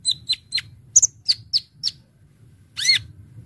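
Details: Brown-throated sunbird, sung in full fill-in style to lure birds: a measured series of sharp high chips about every quarter second, a short gap, then one looping whistled slur.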